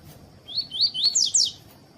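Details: Tuí-tuí style song of a caged Double-collared Seedeater, a male kept with a calling female for training: five rapid upslurred whistles, the last two higher and louder, delivered within a second over a faint continuous high tone.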